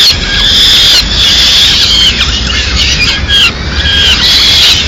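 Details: Peregrine falcon chicks in Madrid, Spain, begging loudly as the female brings a small bird mid-morning; harsh, squealing wails with strong harmonics, in overlapping calls that come in long, near-continuous bursts over a low background rumble.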